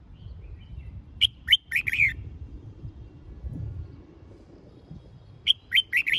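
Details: Training song of a red-whiskered bulbul, meant to push birds into competitive singing: two runs of four fast, bright whistled chirps separated by a few seconds of soft low background noise.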